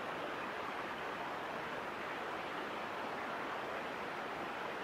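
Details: Steady broadband noise, like wind or surf, runs throughout without any animal call.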